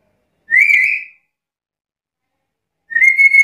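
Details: Black-capped lory giving a full, lively repertoire: two bright whistled notes, the first slightly rising and drawn out, the second beginning after a two-second pause, with no other sounds.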